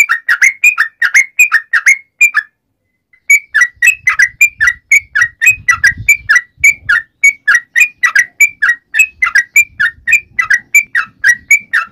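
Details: Sooty-headed bulbul calling its companions: fast whistled note series, a silent gap of under a second, then a long dense run of bright slurred whistles with faint low rumbling behind.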